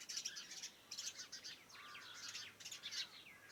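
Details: Morning birdsong around a farmhouse: a dense chorus of high, quick chirps and twitters, with bursts coming every half second or so and a brief lower whistled note near the middle.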